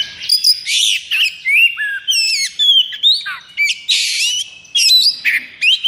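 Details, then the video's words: Excited caged Oriental magpie-robin in full breeding condition pours out a nonstop song of buzzy bursts, twisting whistles and rapid high chips with barely any pause. "KACER KONSLET!"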